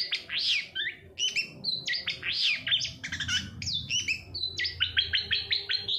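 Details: Lure song of a long-tailed shrike, intended to trigger singing in quiet shrikes: a continuous medley of harsh chatters, buzzy rising notes and short whistled phrases, varied and rapid throughout, over a faint low rumble.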